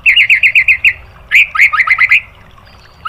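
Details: White-rumped shama song used to provoke other birds: a run of quick repeated chirps, a short pause, another burst of chirps, then a final note.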